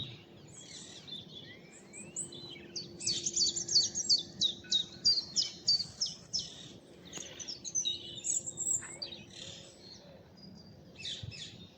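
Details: Early spring morning, about 7:45, in blossoming woodland at East Tilbury on a hazy day: a Eurasian blackcap gives a rich, fast warbling song of bright, varied notes in two long phrases, over a low steady hum and other birdsong. Perhaps a male and female present.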